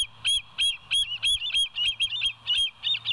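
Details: Bald eagle calling on the West End nest cam at 02:31, 09/11/2023: continuous high chatter of about ten sharp, ringing chirps with overtones, roughly three per second, some softer notes between, low hum beneath.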